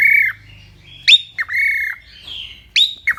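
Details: Pet cockatiel in Indonesia giving long level whistles broken by sharp squawky notes, over a faint low hum.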